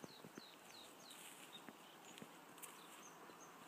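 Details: White-spotted bluethroat recorded in Frederikssund, Denmark in 2013, singing faint, high, thin whistles with short down-slurred notes repeated quickly and a few dry ticks over soft outdoor hiss.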